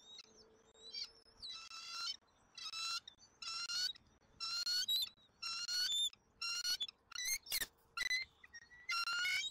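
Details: Bald eagle eaglet in a Southwest Florida nest on 13 January 2024, calling while being fed its dinner: repeated high, thin chittering notes in bursts about one per second, with a steady faint hum in the background.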